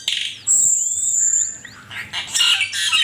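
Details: Asian pied starling song as a master recording for songbird training: a harsh buzzy opening, a long high sustained whistle with softer upward slurs beneath, then a scratchy chattering burst.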